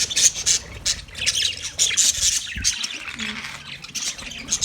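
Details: Parrots recorded on 20 November 2023, a dense chorus of high, scratchy squawks and chirps overlapping continuously, with bright bursts rising and falling in loudness.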